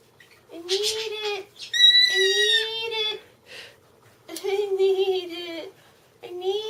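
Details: Pet cockatiel indoors begging for cereal with a whiny call it developed itself: long, drawn-out nasal whines, each lasting about a second, repeated four times with short pauses.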